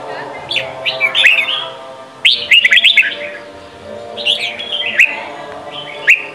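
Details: Voice-training song in Sông Kôn style from a Red-whiskered bulbul for young birds: three short clusters of quick whistled notes, quieter gaps between, a faint background hum.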